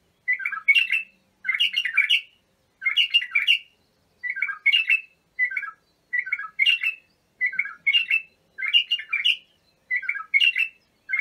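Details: {'caption': 'Bulbul song used for training young bulbuls: short warbled, chirpy phrases around mid-high pitch, repeated roughly every second with brief pauses, bubbly and slightly harsh, in a quiet indoor setting.'}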